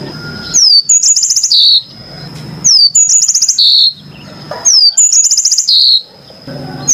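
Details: Clear song of a yellow-fronted canary (Mozambik): repeated high phrases, each opening with a sharp downslurred whistle and running into fast buzzy trills, about every two seconds, with low murmuring noise between phrases.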